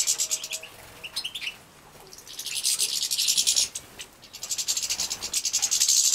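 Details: Captive-bred goldfinch nestlings in Poland, 2017, being fed: a few thin high notes, then a long burst of rapid, shrill, wheezy begging chirps, a pause, and another rising volley.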